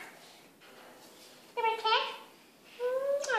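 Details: A female Indian ringneck parakeet (rose-ringed parakeet) talks in two short bursts of high, nasal, speech-like phrases, responding when a person talks to her on camera, with quiet room noise between.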